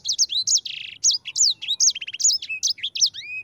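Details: Yellow-fronted Canary (sanger) singing in the rolling ngerol style: a fast, unbroken run of high, sharp whistled slurs, rising and falling notes, with a short buzzy burst and a few brief rattled trills.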